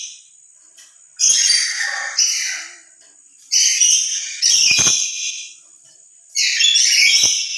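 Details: Lory giving loud emotional calls, louder alone than when with other lories: bursts of grating, high squawks in double-note groups, about four calls in seven seconds, with quiet gaps between.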